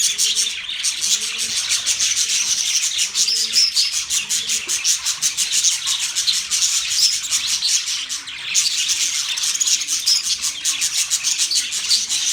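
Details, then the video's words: Budgies chirping, dated November 19, 2023: dense high twittering and scratchy chatter throughout, over a faint lower series of arched, repeated hooting notes, with two brief breaks in the chatter. "Cute Budgies chirping sounds"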